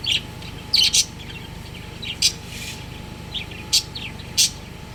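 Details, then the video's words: Home-kept budgerigar breeding pair: crisp, high tweets in pairs and singles, spaced roughly one second apart, with a continuous low mechanical hum behind. "Love Birds Chirping Sounds | Cute Budgies Breeding Pair"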